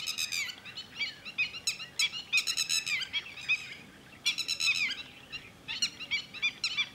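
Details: At Thol bird sanctuary, a red-wattled lapwing (titodi) gives loud, piercing notes in rapid runs of four to six, broken by short pauses, over quiet outdoor ambience.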